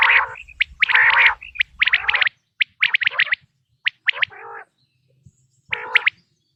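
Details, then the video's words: Quail calling, natural sound for the 2026 hunting season: buzzy harmonic bursts and sharp clipped notes early on, then sparser calls with long quiet gaps. "بٹیر کی آواز"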